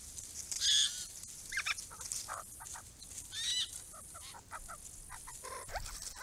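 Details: Small group of wild Grey-crowned Babblers visiting a purpose-built pond: loud harsh chattering and squealing notes from several birds overlapping in irregular bursts, with scratchy rustles and quieter chatter between outbursts.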